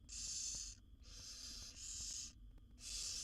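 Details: Wild barn owl chicks in a nest box hiss to beg as their mother feeds a brood of seven; long rasping snores, nearly a second each, run almost back to back over low background hum.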